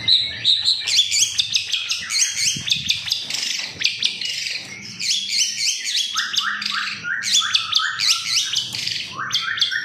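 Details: Long-tailed shrike singing to coax others into song: rapid high, scratchy trills and jumbled notes with some rising slurred whistles, delivered in continuous bursts.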